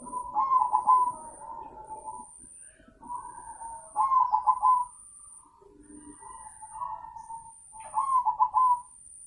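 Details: A crossbred zebra dove, said to sing very actively, repeats short bubbling coo phrases with rolling trills, one roughly every two seconds. Quiet gaps fall between them, and a thin high electronic whine pulses in the background.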